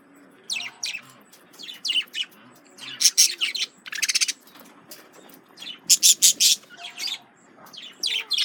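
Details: Male budgerigars reacting to a lemon cucumber: loud bursts of harsh, buzzy chirps and rapid squawky chatter, clustered in quick trains with short pauses between them.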